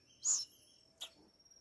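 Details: One of two captive owl chicks hand-fed crickets on its ninth day of feeding, 21 August 2020, gives two short, harsh hissing rasps about a second apart over a thin steady high whine.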